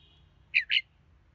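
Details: Red-whiskered bulbul song phrase of two quick, high, chirpy whistled notes in close succession, with a faint low hum beneath.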